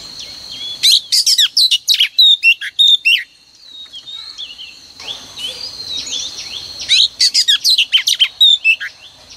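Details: Female oriental magpie-robin singing as a morning decoy to stir males into song: two bursts of rapid, varied whistles and sharp chirps, the first from about one to three seconds and the second near the end, separated by a quieter stretch of thin high notes.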